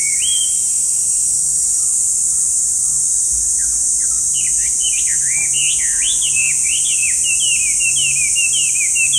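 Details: Chinese hwamei singing: a few soft notes, then a rapid, loud run of repeated swooping whistles, steady and accelerating toward the end. Hiss throughout.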